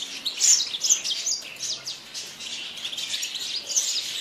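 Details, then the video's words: Yasmin bird twittering in high, scratchy notes, with quick chirps clustered around the first second and a steadier warble afterwards. "تغريد طائر ياسمين"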